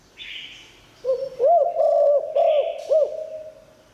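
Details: Spotted dove with a praised 'liu tan' voice, used to bring wild doves in. One phrase of five soft, looping coos. Buzzy higher sounds come before and during the phrase.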